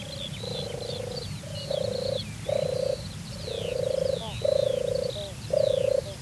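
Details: European turtle dove at a watering place in Turianchay Reserve, Azerbaijan, giving its courtship display song: deep rolling purrs in bursts of about half a second, repeated steadily, with high chattering calls of other birds behind.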